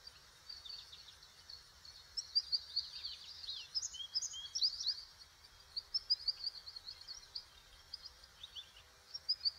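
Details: American goldfinch giving a long run of rapid, high, thin chirps and twitters, clustered in bursts and slurred notes, fairly quiet throughout, with faint low background rumble.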